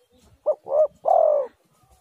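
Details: A single phrase from a spotted dove, recorded as a lure to get other doves calling. A brief clipped coo leads into a rounder coo, then a long mellow coo that slides gently downward.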